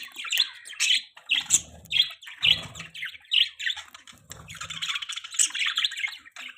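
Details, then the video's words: Budgerigars kept as pets give harsh squawks and chirrupy warbles in quick succession, joined by a sustained scratchy chatter toward the end and faint low knocks. "Beautiful Budgies Parrots Chirping Sounds"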